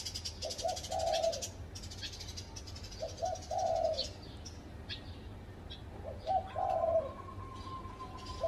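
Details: Spotted dove calling from a tree at a house: soft, hollow coo phrases, two brief notes leading into a longer held note, three phrases in the stretch, with scattered high chirps of other birds behind.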